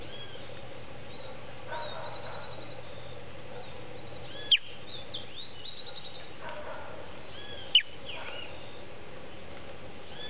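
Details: Young Creamy-bellied Thrush fresh from the nest, tucked in hedge branches in late afternoon and seemingly calling its family, gives two sharp downward-sliding chirps about three seconds apart against steady hiss and faint rustling.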